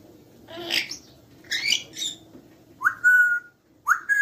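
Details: Friendly pet grey parrot giving breathy, hissy bursts followed by two clear whistles that rise sharply and then hold a steady pitch, with a faint low hum in the room behind.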